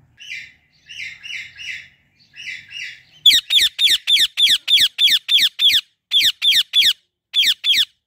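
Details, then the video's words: Female Indian ringneck parrot perched in a fully bloomed apple tree: soft, grainy triple chatter notes, then a loud run of harsh, sharp screeches at about three per second, with brief pauses between bursts. "Female Indian Ringneck Parrot Natural Voice"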